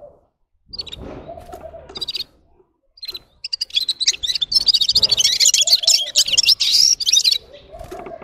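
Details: Red-fronted serin, or gulsir, begins with scattered high chirps, then builds into several seconds of dense, fast, jingling twittering. A lower, soft cooing sound is heard in the background now and then.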